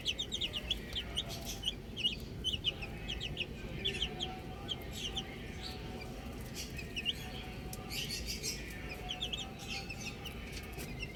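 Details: Several baby chicks enjoying the outdoors keep up a near-continuous chorus of thin, high, falling cheeps, some in fast strings, above a soft low background noise.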